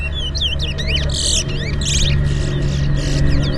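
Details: Chestnut-bellied seed finch (towa towa) singing at a fundraiser bird whistling competition in Port Mourant, Guyana, 2024: rapid slurred whistles and upswept chirps alternating with loud buzzy, rattling bursts, over a steady low hum.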